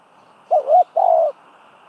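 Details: Decoy spotted dove used in trap training gives a single low phrase: a quavering, wobbling coo, then a steadier, drawn-out coo of similar pitch. The background is quiet with a faint steady hiss.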